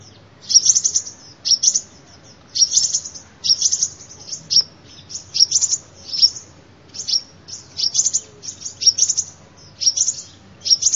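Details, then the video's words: Sunbird song used as a lure for trapping: very high, sharp twittering phrases, each under a second long, repeated about once a second in an uneven rhythm over quiet background. "tiếng chim hút mật làm mồi chuẩn"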